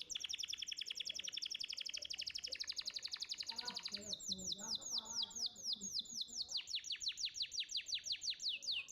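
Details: Champion contest canary singing as a tutor recording: long rapid trills of high repeated notes, then a slower series of sharply falling whistled strokes roughly five per second, with faint murmuring below.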